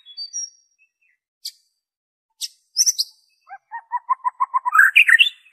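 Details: White-rumped shama song used to get captive birds singing: scattered high chirps, then a steady series of evenly spaced lower notes quickening into a loud warbled flourish.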